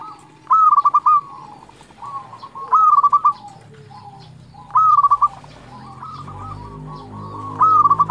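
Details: Local zebra dove singing persistently to provoke answering rivals; four stuttering coo bursts spaced roughly two seconds apart, with softer lower trailing notes and a low rumbling background in the latter half.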